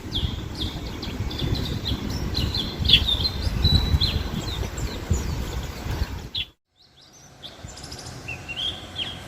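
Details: White-eye, locally called pleci, moving about actively: thin, high chirps and short twittering notes scattered through, over a steady low rumbling background, with a brief near-silent gap before the chirps resume.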